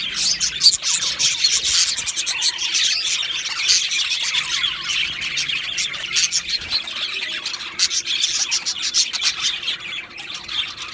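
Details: Steady chirping from two male Australian budgerigars, a rolling mix of squeaky notes and fast clicking ticks, rising and falling in loudness but never pausing.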